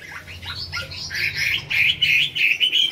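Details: Caged Chinese hwamei singing in the top-10 final round of a singing competition at the Mỹ Đình hwamei club on 19 July 2020: rapid, varied slurred whistles and warbled phrases, rising and falling, growing into loud sustained trills, with faint low background rumble.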